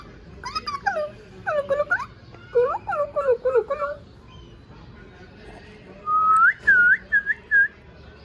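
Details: A talking rose-ringed (ringneck) parakeet clearly says the hoarse, nasal phrase "Mian Mithu chori khani hai" in quick bursts, then gives four short, rising whistles.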